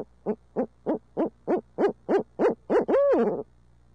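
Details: Urbanized barred owl in midtown Tulsa gives about nine quick hoots that grow louder, finishing with one long, swooping, quavering note.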